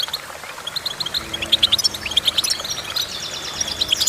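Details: Goldfinch song: quick twittering phrases of short high chirps and trills, with bursts of repeated bright notes and brief buzzy slides, over a faint steady low hum.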